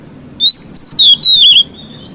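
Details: Singing white-rumped shama, its song said to provoke other shamas: four pure, sweet whistled notes, gently wavering and slightly descending, delivered in just over a second over a quiet hum.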